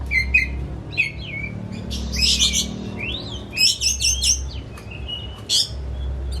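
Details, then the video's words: Oriental magpie-robin kept at home as a hobby bird, song played to make a silent one open its beak: crisp whistles, rising and falling slurs and bursts of rich chattering notes, with low hum. "Kicau Kacer Rumahan Emosi Buka Ekor Ngeplong Terus"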